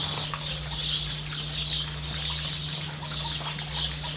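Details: New Zealand Variable oystercatcher with a chick: three scattered, piercing high call notes, separated by pauses, against a faint steady drone.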